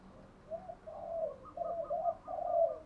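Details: Spotted dove decoy calls, male and female, to spur trained birds; a short stretch of low rolling coos over noticeable background hum and hiss.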